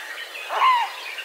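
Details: A mute swan from a family group at Tanilanlahti, Rymättylä, Finland, on 19 August 2023 gives a single short, nasal note that slurs slightly downward, over a soft hiss of background noise.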